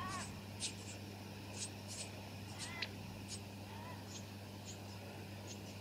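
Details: High sharp chip notes from a Brown-headed honeyeater of subspecies pallidiceps, Victoria, Australia, December 2017, scattered every second or so, with a few softer lower whistled notes and a constant low background drone.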